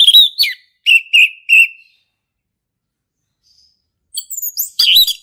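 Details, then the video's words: Forest male orange-headed thrush, ngeplong style: a slurred whistle, four evenly spaced clear notes, a long pause, then a fast jumble of high sharp whistles. "SUARA ASLI HUTAN ANIS MERAH JANTAN GACOR NGEPLONG"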